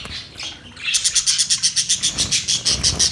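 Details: Budgies making their mating sound: after a rising scratchy note, a fast, steady series of clear high chirps, about six per second, repeated without a break.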